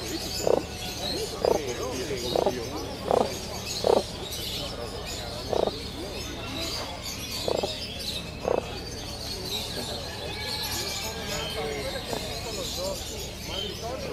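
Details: Crowned cranes pairing at the Rustega town bird exhibition. A series of short, mid-pitched honks comes in quick succession, then pauses, over constant background chatter and hum.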